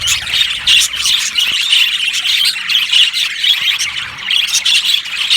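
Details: Budgerigar flock noise: a steady wall of high twittering and squeaky squawks, with bright chirps standing out roughly every second throughout.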